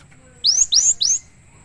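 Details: Three rapid, piercing rising whistles from an actively singing cinereous tit (gelatik batu), a short clean phrase with little else audible.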